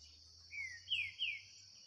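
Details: Green-winged saltator in a singing duel against a free bird in the bush: three quick, clear whistles, each sliding downward. A steady high insect drone runs underneath.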